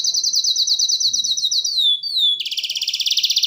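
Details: Canary song beginning with a rapid high trill, then two downward-sliding whistles, and ending in a fast buzzy rolling trill.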